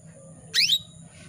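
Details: Female canary calling to males to get them singing: one brief, loud, sharply falling high-pitched call over faint low background noise.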